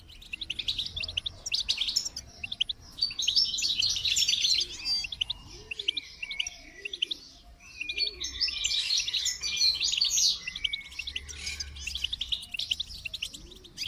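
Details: Long bout of goldfinch song, dense high twittering with quick chirps roughly three per second, rising into louder jingling bursts twice.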